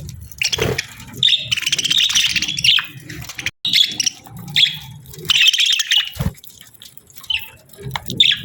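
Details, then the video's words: Pair of budgerigars during the breeding season chattering together in busy, warbling chirps and squeaky twitters, with bursts of rapid notes broken by short pauses, over a soft low hum. "Budgie Pair Chirping Sounds"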